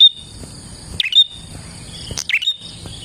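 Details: Prinia song for luring other prinias: two emphatic chirps roughly a second apart, each dropping steeply then ending on a thin high note, with a persistent shrill hum throughout.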